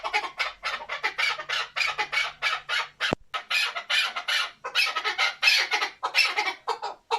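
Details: Male chukar partridge for hunting calls in quick, grating chuk bursts, repeated steadily with brief pauses and a single sharp click midway.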